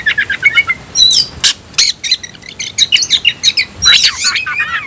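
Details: An Oriental magpie-robin (kacer) calls a rival to fight with rapid chattering notes, a harsh burst, then quick clipped whistles and descending slurred phrases repeated in a lively stream.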